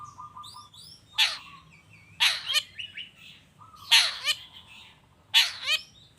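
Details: Long-tailed shrike lure song in the 'toet toet' style: four loud, grating rasps roughly every second or so, each followed by a shorter harsh note, plus soft warbling between them over low background noise.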